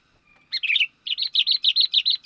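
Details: Sooty-headed bulbul (kutilang), described as a talented young bird, calling as a lure for wild birds: a short chattering burst, then a quick run of about nine bright, clipped, repeated chirps at an even pace, against a quiet background.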